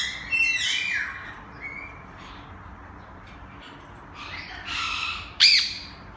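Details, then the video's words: A peach-fronted conure in Melbourne, Victoria gives harsh, scratchy squawks, a burst at the start and louder screeches near the end, with a soft rushing background. "Peachfront Conure"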